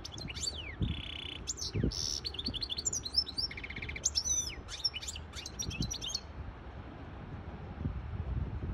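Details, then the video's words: Goldfinch hybrid sings to let chicks hear and learn and to arouse a female goldfinch into mating posture: rapid, varied twittering with buzzy trills, sharp up-and-down whistles and chirps for about six seconds, then quiet with faint low background noise. "تغريد طائر هجين الحسون لتسميع الفراخ و لتهييج انتى الحسون واخد وضعية التلقيح"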